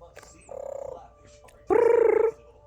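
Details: A 36-year-old female pet Congo African grey parrot sits in her new travel backpack while visiting family. She gives two nasal, buzzy, pulsed tones, a short one followed by a louder, longer one, with quiet room noise between them.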